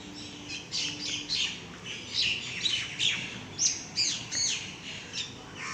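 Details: Two or three mynas in a calling contest in the rain, moving from tree to tree and answering each other: harsh, chattering notes and sharp whistles overlapping in bursts about every second.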